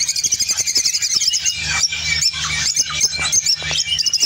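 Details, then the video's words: An opaline orange lovebird from Spain chatters in quick, shrill, squeaky notes and short whistled slurs, rising and falling in a busy stream; a constant low hum runs underneath. "Spain Opline Orange Love bird singing"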